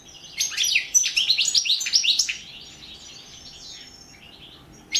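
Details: Competition recording of a European goldfinch for the 2017 world song championship: a lively two-second run of quick, high, tinkling chirps and buzzy slurred notes, then softer twitters and a final sharp note.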